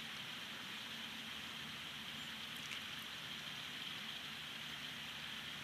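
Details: Steady, even hiss like rain or rushing water runs for the whole stretch, with faint low rumble underneath and no animal calls.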